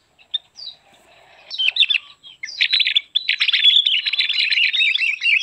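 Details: Javan grey-throated white-eye song used as a lure or training recording: soft scattered chips at first, then a dense, rapid, rising twittering warble that runs on continuously.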